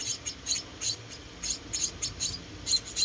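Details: Rescued munia chicks being fed indoors make irregular high, thin squeaks and cheeps, several overlapping and unevenly spaced, against a soft low hum.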